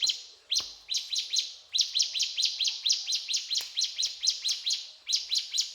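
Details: Mountain tailorbird delivering quick bursts of piercing high chirps, repeated steadily in phrases of five to ten notes separated by short gaps, clear and dominant throughout.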